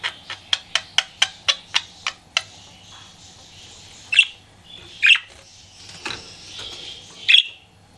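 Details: Pet budgie flirting indoors: a run of eight sharp rapid clicks opens, then scattered loud squawky chirps follow at uneven intervals over several seconds.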